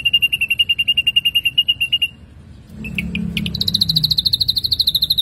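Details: Lively ashy drongo song from a lure recording: a rapid trill of high pips for two seconds, a short pause with soft background noise, then a few sharp notes and a faster, higher-pitched trill.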